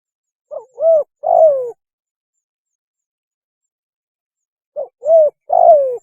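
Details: Spotted dove mating call in two phrases separated by a long pause: a short lead note, a rounded coo, then a drawn-out hoarse coo falling in pitch. No other sounds.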